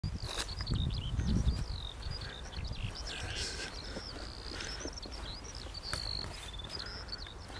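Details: Eurasian skylark singing high in the sky on 20 April 2021: a continuous, rapid, high-pitched twittering warble of varied chirps and trills, with low rumbling and footstep-like noise early on.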